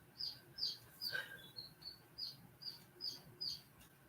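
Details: Chicks hatching, some still unhatched in the shell, give thin, high peeps, two or three a second, in an uneven but steady series over a faint low hum, on a hot, stormy evening.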